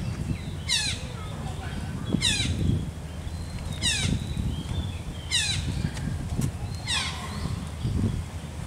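Red-breasted parakeet giving five harsh, grating screeches roughly every one and a half seconds, over a steady low rumble of background noise.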